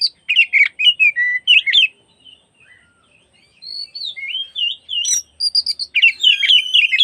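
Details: Oriental magpie-robin lure song for the afternoon, aimed at making other magpie-robins join in and fan their tails: quick repeated whistled notes, a brief lull, then rising slurred phrases and a dense, chattering warble.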